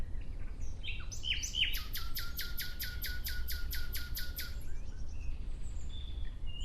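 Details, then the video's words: A nightingale's song in nature opens with a couple of clear whistles, then bursts into a loud, rapid series of about thirteen identical sharp notes, fading into faint distant twittering over low rumble. "Relaxing clear sound of Nightingale"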